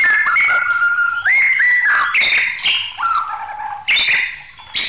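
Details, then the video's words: Agitated white-rumped shama delivering rich whistled phrases, long level and downward-sliding notes broken by sharp, scratchy chattering bursts. "SUARA MURAI BATU NG4MUKK..MUNT4H ISIAN BRO.!!"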